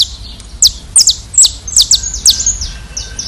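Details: Brazilian saffron finch, locally canário-da-terra, gives rapid high, downslurred chip notes, some doubled, mixed with short buzzy trills, repeated at an uneven fast pace over a quiet low hum.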